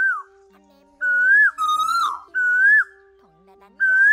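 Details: Asian koel call played as a lure for night-net trapping of migrating birds in August 2024: clear whistled notes that swell and rise, repeated in bursts about every second and a half, over a steady low electronic hum.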